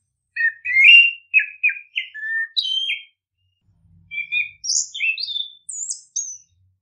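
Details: Orange-headed thrush song played to spur birds to sing: a rapid run of varied whistled notes, some low and warbling, others high and sharp, in two quick phrases with a short pause between.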